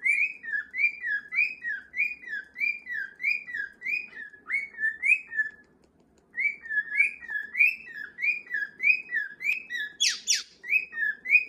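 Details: Household cockatiels, several males and a female, one young male striving to join the group's march; long run of steady whistled notes sliding up then down, a brief gap midway and a sharp click near the end.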